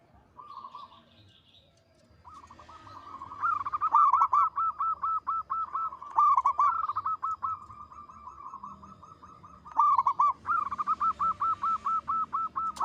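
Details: Steady singing from a local zebra dove with a big, long, melodious voice: long, fast series of clipped cooing notes, several phrases in a row with a few louder accented coos, after a brief soft opening.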